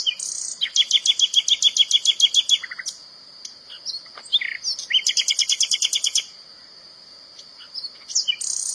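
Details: Common nightingale singing in the wild: fast rattling trills of repeated sharp notes, a short pause, then another rapid run of loud chirps. A steady high insect-like whine drones underneath throughout.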